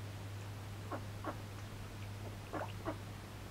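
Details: Hand-tamed male mallard during hand-taming practice, giving short soft quacking calls in pairs and small groups, rather low and nasal, over a steady low hum.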